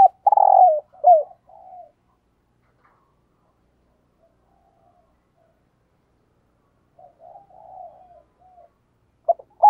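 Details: Decoy spotted dove giving 'thúc gù' coos. A loud rolling coo and a hooked note open the clip, followed by soft murmurs and a long silence. Quiet wavering coos return later, and a short note ends it.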